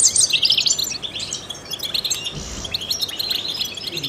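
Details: European goldfinch, a trained singer used to prompt other songbirds, delivers a fast, uneven stream of tinkling high chirps and twitters, loudest at the opening and briefly softer in the middle.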